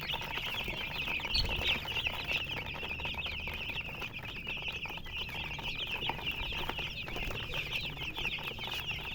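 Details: Many colored chickens chirping together: a constant wash of short, high peeps layered on top of each other, with faint low rumble underneath.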